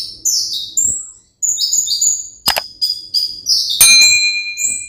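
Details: Caged 'ringgit' Van Hasselt's sunbird (kolibri ninja) singing high, thin notes that slide down and step up, in short bursts with brief pauses. Two sharp clicks break in midway.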